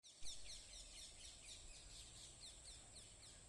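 Faint, high chirps from birds come in quick downward strokes about every half second, over a steady insect-like hiss and low rumbling background noise.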